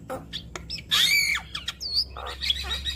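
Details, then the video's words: Javan myna song meant to prompt other mynas to sing: a loud harsh buzzy call, scattered clicks and a clear high whistle that rises and dips. "Semua Jenis Burung Jalak Akan Bunyi Kalau Dengar Ocehan Jalak Kebo Makun Banyak Isian Ini"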